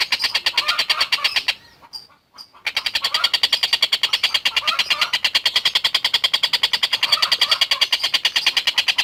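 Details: Long-tailed shrike (tengkek buto) singing energetically: a continuous stream of quick, grating, repeated notes, a few per second, broken once by a short pause with two thin high notes, then resuming steadily.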